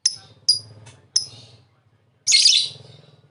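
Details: Lovebird producing three quick, sharp high chirps spaced about half a second apart, then a short pause and a louder, denser harsh burst. Low hum underneath.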